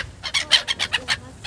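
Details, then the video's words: Gulls in Yakutsk: a quick series of about eight short, harsh, laughing yelps in rapid succession, with a brief pause before a final note. "Чайки Якутск Seagulls Yakutsk"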